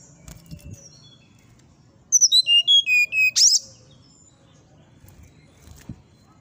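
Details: Brown-chested jungle flycatcher song: a clear phrase of about eight high, sharp whistled notes descending stepwise in pitch over roughly one and a half seconds, ending in a brief bright flourish; faint clicks and low background hum around it.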